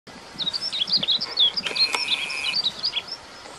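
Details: Female yellow-throated bunting giving thin, high chirps and quick twittering notes in a rapid, uneven stream, with a brief steady whine midway.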